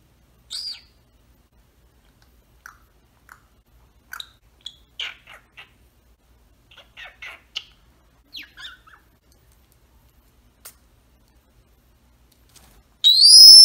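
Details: A pet Senegal parrot shut inside its travel cage gives scattered short clucks and chirpy notes, then a loud, harsh rising scream at the very end.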